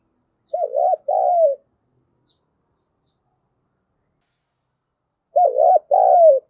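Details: Spotted dove used as a calling lure: two low cooing phrases almost five seconds apart, each a quick wavering double note followed by a longer coo that falls away, with near silence in between.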